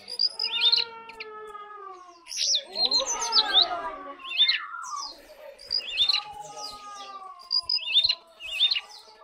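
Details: Lesser shortwing repeating short, high, zigzagging phrases of thin sharp notes every second or so, with lower drawn-out wavering tones in between and a noisy burst near the middle.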